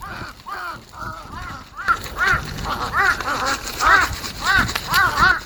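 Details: Crows squabbling as soon as they began eating, recorded 13 March 2026: a busy run of hoarse, arched caws that overlap and repeat about every half second and grow denser midway.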